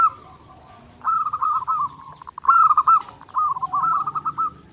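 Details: Energetic zebra dove song for daily training: three cooed phrases, each a quick run of short bouncing notes, separated by brief quiet gaps against a faint low background hum.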